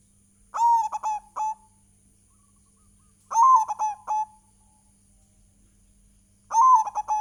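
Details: Local zebra dove in full song as a lure recording: three bouts of clipped, stuttering mellow coos, each a quick run of short notes ending in a trailing tone, about three seconds apart against a quiet background.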